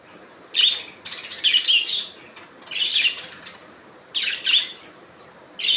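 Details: Budgerigars calling: bright, scratchy chirps and warbled squawks in bursts, with short pauses between groups of calls, several birds heard.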